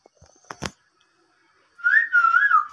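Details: Talking Indian ringneck parakeet giving a clear, wavering whistle that rises and falls over about a second, after a sharp tap and faint clicks.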